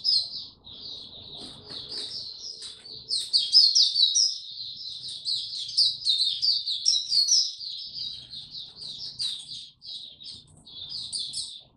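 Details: Oriental white-eye singing 'tiong aw' on 25 January 2022, after a late night: a long, rapid, unbroken torrent of high, bright twittering warble that grows louder and more intense midway.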